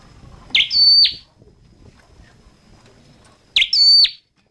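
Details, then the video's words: Two shrill phrases of red-headed flowerpecker song, about three seconds apart, each made of a sharp note, a held whistle and a downward slur, over a soft, broad background rustle. "Tiếng chim Sâu Đầu Đỏ hót chuẩn"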